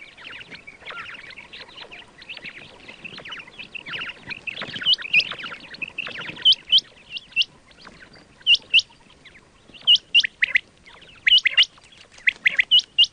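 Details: Quail calls used for hunting: a steady wash of buzzy chatter early on, giving way to clear, sharp high whistled notes in pairs and triplets against faint background chatter.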